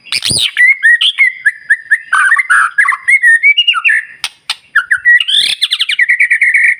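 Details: Lively white-rumped shama song played in the morning to make other birds answer: a loud opening note, strings of steady whistled notes, brief pause, then fast rising whistles and a buzzy high ending.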